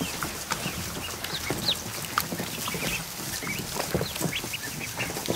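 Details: Newly hatched ducklings, over a hundred, in a kiddie pool set in a barn during the afternoon; occasional clear high peeps, some sharply rising, stand out from a busy background of splashing.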